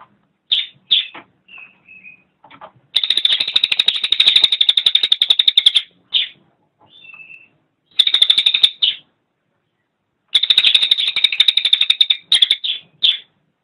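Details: Cililin, recorded as a master song for training cage birds, best done in morning or evening: bursts of rapid, buzzy high trills lasting one to three seconds, separated by short chips and thin whistled notes, with quiet gaps between phrases.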